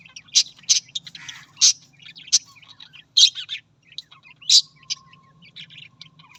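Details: Australian parrot giving sharp, high chirps in short bursts, roughly one every second or two, with quieter chatter between them and a low steady hum underneath.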